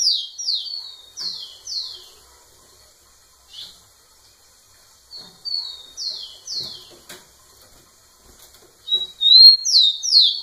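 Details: Rufous-collared sparrow (tico-tico) male singing at close range to a female: bright phrases of quick, slurred, downward-sweeping whistles, given in three bursts separated by pauses, with faint clicks and light background noise.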